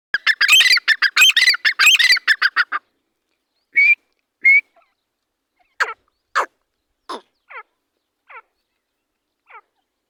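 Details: A pair of partridges (teetar) calling: a fast, harsh run of repeated notes for nearly three seconds, then two short rising whistles and a slowing series of single sharp call notes fading out.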